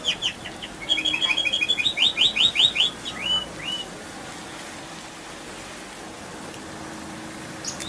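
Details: Canary bait song meant to prompt other canaries: a quick series of bright descending chirps and trilled notes for about three seconds, then near silence with faint background hiss.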